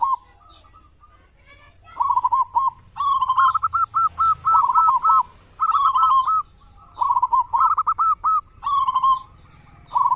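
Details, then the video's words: Big-voiced local zebra dove singing as a lure that prompts other doves to call in the morning and evening; repeated bubbling coo phrases, some with crisp stepped notes, in steady bursts across ten seconds. "perkutut lokal gacor suara besar buat pancingan diPAGI dan sore"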